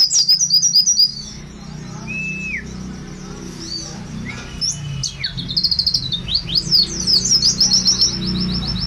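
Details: Buxtoni mountain white-eye, kept as a training bird: rapid high, thin chirps and trills at the start, sparse sliding whistles in the middle, then dense quick twittering bursts near the end, over a faint low hum.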